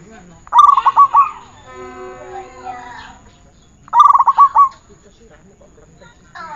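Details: Zebra dove song from a training recording: two one-second phrases of pulsed, ringing coos, separated by a steady harmonic call from another source and soft background sounds.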